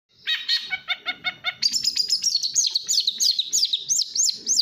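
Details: Long-tailed shrike, kept bird, singing fast in the busy style: a row of harsh repeated chattering notes, then a rapid run of high whistled, upslurred phrases, with faint low background rumble.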